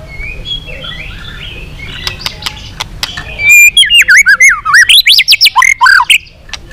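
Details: White-rumped shama long song used to excite other shamas, bird flicking its tail; quiet clicks first, then from three and a half seconds a loud burst of fast looping, zigzagging whistles.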